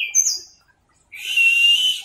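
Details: Orange-headed thrush, teler-style masteran song: a short high whistled note, a silent gap, then a long steady buzzy tone held for about a second.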